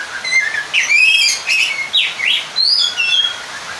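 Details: Oriental magpie-robin song luring a rival and provoking other males: loud whistled phrases with steep up-and-down sweeps, a long rising whistle and short high notes, almost without pause.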